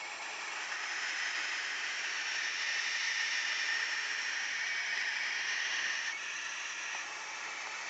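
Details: Barn owls in a hack box hiss in a long, harsh, steady rush of noise like escaping steam, agitated by a person standing up looking at them.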